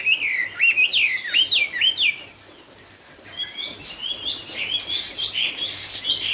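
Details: Chinese hwamei singing 'cao cầu': a series of loud looping whistles repeated rhythmically for two seconds, a short quiet gap, then a softer rising, chattering phrase.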